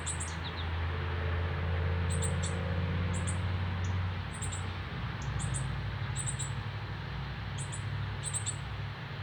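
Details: Young northern cardinal out of the nest for the first day, calling to be fed by its father, Canada, September 12, 2020: short doubled high chips roughly every second, with a prominent low hum underneath.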